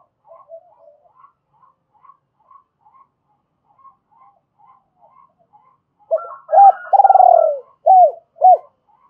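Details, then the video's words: Spotted dove used as a decoy, cooing in a double voice to lure wild doves; a long run of faint, soft, evenly spaced chirps gives way to loud hooked coos and one long trembling, falling coo. "Tiếng chim cu gay mồi thúc bổi và gáy gọi giọng đôi"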